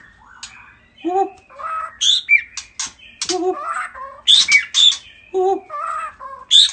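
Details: A bird bobbing its head as a greeting gives a mixed string of harsh squawks, nasal mid-pitched notes and sharp high chirps, delivered in uneven bursts about every half second with short pauses between.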